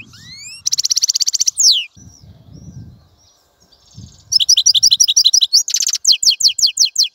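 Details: Goldfinch song with rising whistled slurs, a rapid buzzy trill, a descending sweep, then a run of crisp repeated chirps after a quiet gap with soft low noise.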